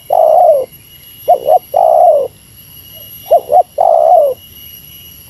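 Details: Meratus-style lure call of a spotted dove competing with a rival. Each phrase is a quick double note followed by a sustained falling coo, about three times, over a constant thin electronic hum.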